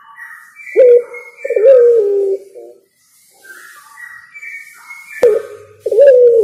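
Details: Spotted dove song in two phrases, each a short low coo followed by a longer falling coo, with chirpy higher notes from another bird between them and a sharp click.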